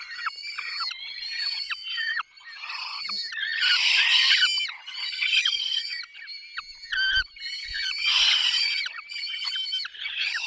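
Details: Peregrine falcons during feeding, recorded 20 May 2021 in the Barycz Valley, Poland: overlapping harsh, harmonic wailing and screeching calls, several voices at once, with loud bursts around four and eight seconds.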